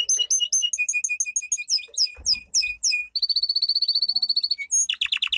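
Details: Domestic canary training song. Rapid repeated whistled phrases lead into a series of downward sweeps and a long fast trill, ending in tumbling descending notes.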